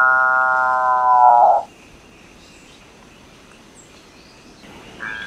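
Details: Capuchinbird (Perissocephalus tricolor) song: the close of a drawn-out, hollow, mooing tone ends with a short rough flourish, followed by about three seconds of quiet before the next call starts.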